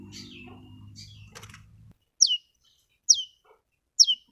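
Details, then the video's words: Lure calls of a long-tailed shrike, meant to prompt a reluctant or stressed bird to sing: three clear, piercing notes that slide steeply downward, spaced nearly a second apart, after a brief low hum. "pancingan cendet yg mles bunyi dan stres"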